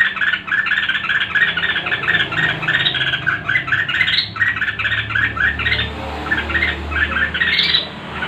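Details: Excited red-whiskered bulbul in competitive song: a long run of rapid, chirpy whistled notes, bouncing up and down in short clusters, with a brief high upsweep near the end over a faint low rumble.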